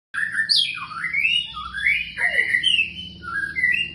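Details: White-rumped shama after moult singing a varied phrase of loud, clear whistles that swoop sharply up and down, with slurred rising and falling notes running together over four seconds in a quiet setting.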